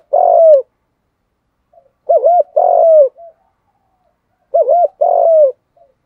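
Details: Spotted dove giving thúc gù coos in a strong voice. Low, mellow phrases, each a quick double note then a longer drawn-out coo, repeat about every two and a half seconds, three times in a quiet setting.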